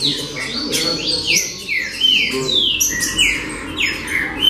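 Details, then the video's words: Trinca-ferro, the green-winged saltator, in a baderna session: bright clear notes sliding downward, packed close together and tumbling over one another for a few seconds above faint low background noise. "Baderna De Trinca Ferro Show!!!"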